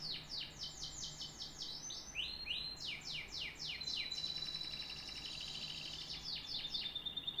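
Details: Singing canary delivering a series of quick descending sweeps repeated several times a second, a short rising note, then a sustained rapid trill with a thin steady whistle, closing with more sweeps; steady low hum behind.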